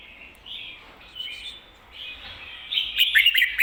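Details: Red-whiskered bulbul ko-ta-ra song used for teaching birds: quiet, scattered whistled phrases build into a loud, quick chattering flourish at the end.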